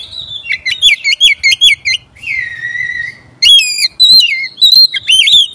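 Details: Oriental magpie-robin song used as a lure to provoke other magpie-robins: rapid repeated whistled notes with sharp up-down inflections, a long steady falling whistle, then more varied bright phrases, loud and clear over a faint low hum.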